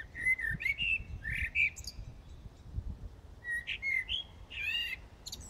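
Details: A common blackbird sings in the dead of night, early morning of 15 January 2018 in Brussels, Belgium; mellow fluted whistled phrases ending in squeaky twittering flourishes, in two bursts separated by a pause, over faint low city rumble.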